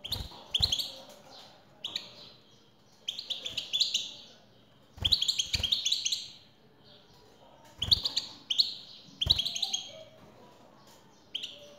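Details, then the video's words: A male European goldfinch sings back to a female's call, delivering repeated bursts of bright twittering and rapid trilled notes every second or two, with loud clicks and knocks between bursts. "حسونك سيغرد مع هده البثبثة Goldfinch singing"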